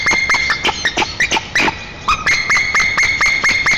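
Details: At a nest in Tatarstan's Nizhnyaya Kama National Park, white-tailed eagles greet one another in early April 2024. Sharp, ringing yelps come in fast series, briefly break into irregular squealing notes, then resume the even rhythm.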